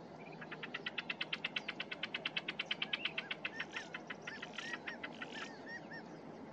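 A cactus wren gives a fast, harsh chugging series of about thirty grating notes, then looser scratchy chatter, over a steady low rumble of background noise.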